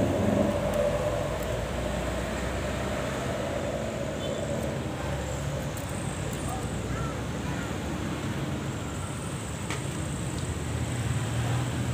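Steady low rumbling noise like distant traffic, with no animal calls.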